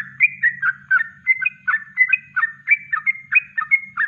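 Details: Kongslet-style natural song of a yellow-vented bulbul, used to train other birds: brisk, bubbly whistled phrases of falling and rising slurs repeated rhythmically, loud and clear, with a faint low hum.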